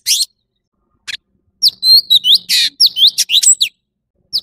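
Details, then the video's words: Short, broken song of an orange-bellied leafbird: a few scratchy notes, then a brief flurry of clear rising and falling whistles mixed with harsh rasps, and one final chirp. "Tiếng chim thanh tước trung quốc/Chim xanh vàng✅Orange-bellied leafbird ✅นกเขียวก้านตองท้องสีส้ม"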